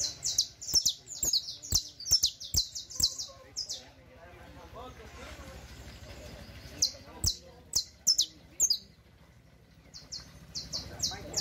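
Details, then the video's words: Canario criollo, the Saffron Finch, delivering a teaching song: fast volleys of high downslurred chips, a quieter gap with murmuring low sounds, then more chip runs. "El Mejor CANTO De CANARIO CRIOLLO Para Enseñar"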